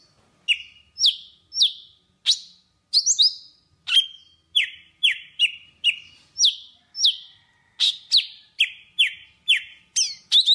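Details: A Java sparrow sings to gather its flock, giving a long, fairly even series of crisp downward-sweeping chirps with occasional clicks and double notes over about ten seconds.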